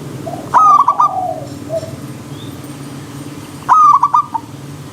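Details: Zebra dove song, two cooing phrases each opening with a sharp note followed by a quick rolling series of four or five soft coos, about three seconds apart; faint other bird notes and low steady background hum.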